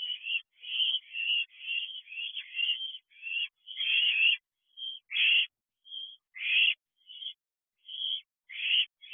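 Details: Several owlets at a house nest box on a June night in 2023: a steady run of short, harsh hissing rasps, about a dozen in nine seconds, some longer and louder, with brief gaps between.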